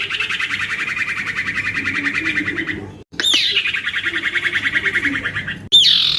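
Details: Young male common iora, kept as a lure bird, delivers a long evenly pulsed buzzy chatter, pauses briefly, then repeats it after a high falling whistle, ending with another sharp downslur.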